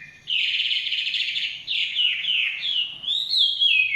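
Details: Chinese hwamei singing in the forest, a loud rich whistled phrase that opens with a long warble and breaks into descending slurred notes, ending on high rising whistles.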